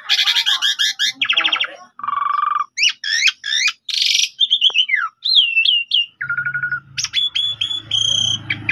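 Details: Morning rival-calling lure of an Asian pied starling: dense buzzy chatters, hooked whistles and rattling bursts follow one another quickly, with a faint low hum in the background during the last seconds.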